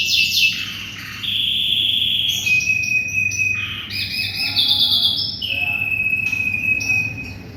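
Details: Singing canary for white-rumped shama tutoring: alternating bursts of chirps and long steady whistled tones at varying pitches, some with rapid warbling overtones, and a soft low hum beneath.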